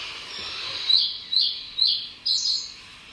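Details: Reed bunting summer song, a short simple phrase: four clipped high chirps about half a second apart, the last slightly doubled, in a quiet setting.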